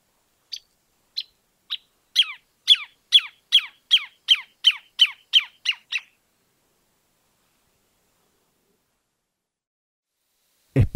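A Greater Thornbird sings about fourteen loud, sharp notes that start slowly, then speed up into an even run before stopping. A brief low thump follows.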